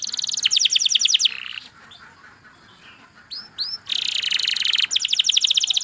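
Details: Canary song with bursts of high, rapid trills separated by a quieter gap with faint background noise. Two clear swooping whistles lead into a loud buzzy phrase and renewed trilling.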